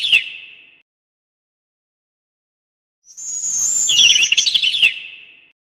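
A sparrow gives one short chirp, then after a pause a run of rapid, tumbling high chirps lasting about two seconds, with a thin whistle above.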